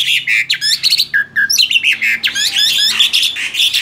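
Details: Tame male black-winged starling singing energetically. The song is a continuous, busy jumble of squeaky chattering notes, nasal whistles and rapid trills, with hardly any pause.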